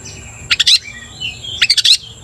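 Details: Oriental magpie-robin, vigorous 'gacor' bird used to provoke aggression in others: two quick bursts of bright clustered chirps about a second apart, joined by a soft thin whistle.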